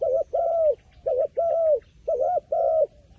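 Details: A smart wild pigeon, said to be afraid of the phone camera. It calls three times in quick succession, each a clipped double-humped coo then a longer smooth coo, about once a second.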